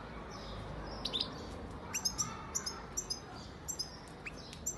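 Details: European goldfinch, a 2019 young bird from Antalya, Turkey, singing. Sparse high tinkling notes and short twitters repeat through the passage over a steady low background hiss.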